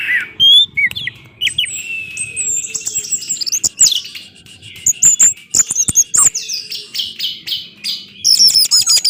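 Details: Orange-headed thrush singing in a recording used to prompt other thrushes into song: varied high whistles, rising and falling slurred notes and sharp chip-like clicks tumbling in busy, irregular bursts with almost no gaps.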